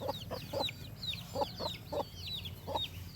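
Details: Farm chickens heard briefly: several bright falling peeps overlapping with a handful of short, low clucks, over a faint steady hum.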